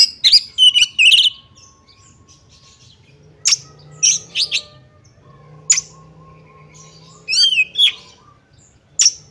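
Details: Female Oriental magpie-robin (kacer betina) calling to provoke males into anger, tail-spreading and fighting: sharp high chirps and buzzy rattles in bursts, a rising whistle near the end, with quiet gaps between phrases.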